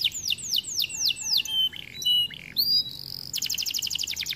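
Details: White canary in song: a run of falling whistled slurs, short buzzy notes and a flat whistle, ending in a rapid high-pitched trill.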